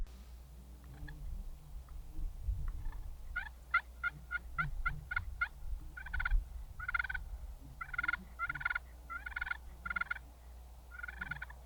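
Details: A Merriam's wild turkey longbeard gobbles in quick bursts of rattling, throaty notes, runs repeated over a low outdoor rumble, about 300–400 yards off on Washington public land on a cold (about 28°F), foggy spring morning while being called in.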